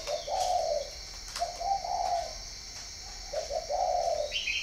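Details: Northern Vietnamese spotted dove kept at a breeding farm in Ba Vì, Hanoi. Three mellow, slightly rising coo phrases are separated by short pauses, over a constant shrill insect hum and a brief chirp at the end.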